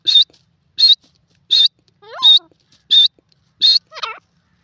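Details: Grey francolin calling in India. Loud, harsh high notes repeat steadily about every three quarters of a second, interrupted by a lower, wavering, descending call in the middle and another at the end.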